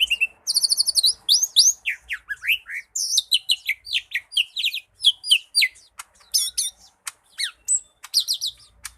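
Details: Lesser green leafbird delivering a rich, varied song: high buzzy trills, swooping whistled slurs and quick chirps in a rapid, irregular stream.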